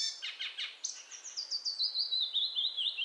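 Icterine warbler song: a quick burst of scratchy chattering notes, then a long run of high, twisting whistled phrases sliding slowly downward.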